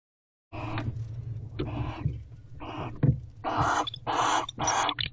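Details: Barn owls at owl box C on 12/1/23 around 5:41 am, guarding the house. Rustling and a low rumble, then three harsh, hissing screech bursts close together near the end.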